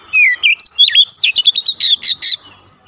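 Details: Oriental magpie-robin song used as a therapy recording to get untrained birds singing quickly and densely: a rapid string of loud whistled and chirping notes, some rising and some falling, delivered in quick bursts over a quiet background.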